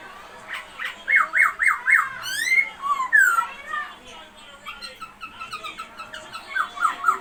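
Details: Masked laughingthrush, white-cheeked form kept as a song bird, indoors: quick repeated looping whistles, then slurred rising and falling whistled notes and brief harsh squeaks, with faint voices in the room.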